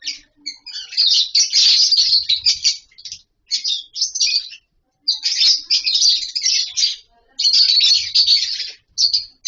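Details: Several lovebirds in a captive colony chatter in long shrill runs of squeaky, overlapping notes, broken by short gaps, with faint low thumps in the background.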